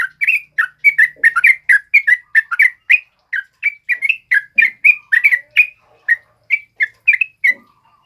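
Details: Yellow-vented bulbul (trucuk kebo), in prolific song, gives a long unbroken stream of rapid, bubbling whistles, varied up-and-down notes repeated several times a second.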